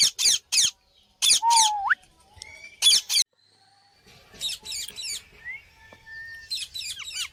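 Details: Parrot alternating loud, grating double screeches with thin whistles, including one rising sweep. Softer chattering and scratchy calls follow in the second half.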